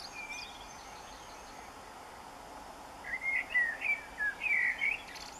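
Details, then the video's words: A common blackbird singing at dawn, 4am on 24 June 2015, gives a short run of mellow, fluty warbled notes in the second half, over steady background hiss with faint high chirps earlier. "Blackbird singing at dawn"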